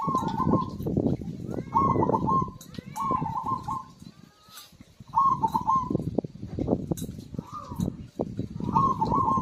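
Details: Zebra dove in full song, used to prompt silent birds to sing: short rolling, trilled coo phrases about a second long, repeated with short pauses, over a busy low knocking background.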